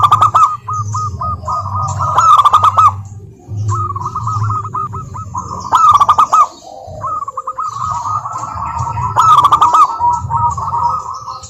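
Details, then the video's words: Local wild-type zebra dove song used as a lure to get lazy doves singing: runs of rapid, mellow notes near one pitch, repeated in bursts, broken by loud harsh clattering bursts, with a steady low hum beneath. "Perkutut Malas Bunyi dijamin NYAUT GACOR LANGSUNG dengar pancingan masteran Kutut lokal ini"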